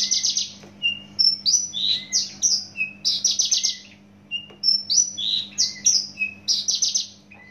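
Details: Javan bush lark, a native Javan bird, singing loudly and fast: bursts of high, sharp whistled and buzzy notes, some rising and some falling, given in quick runs separated by short pauses, with a steady low hum underneath.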